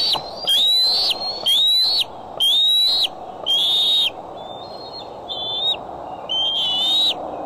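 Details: Bald eagle recorded by the Decorah nest camera on July 6, 2011, afternoon or evening, calling persistently: a series of high, strained whistles about once a second. Some notes rise and some hold steady, the later ones fainter, over low hum.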